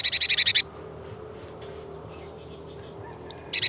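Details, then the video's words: Rolling 'ngerol' song of a young great tit, played as a lure for kept birds: a quick run of about eight buzzy pulses, a long pause with a thin steady whine, then a sharp chip and another buzzy trill. "GELATIK BATU MUDA GACOR | Glatik Ngerol Untuk Pancingan Gelatik Batu"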